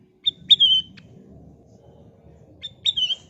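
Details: Golden-coloured sooty-headed bulbul singing as a lure for other birds: two short phrases, each a sharp clipped note followed by a clear whistle sliding downward, separated by about two seconds of low background murmur.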